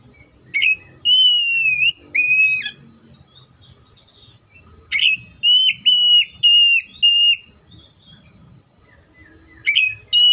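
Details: Oriental magpie-robin repeating loud flat whistles, each starting with a sharp upward sweep. They come in groups separated by short pauses, with faint low background noise.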